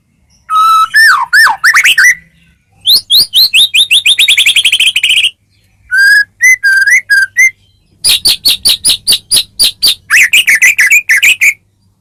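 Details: Shama (murai batu) master recording meant to make other birds respond: bursts of loud rapid rattles and chattering trills alternating with brief whistled and slurred notes, with silent gaps between phrases.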